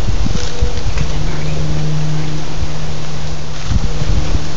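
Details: Steady low engine rumble with heavy wind buffeting on the microphone, and no animal voice audible.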